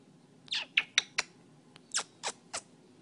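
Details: An African Grey parrot, seeing himself for the first time in a selfie-mode camera phone, gives about eight short, harsh, raspy squawks in quick bursts over three seconds, testing the camera, with a quiet room behind.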